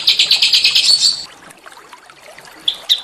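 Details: Fast, high, chattering trill from small songbirds lasting about a second, then near silence before two short, sharp whistled notes; a training recording for a white-rumped shama.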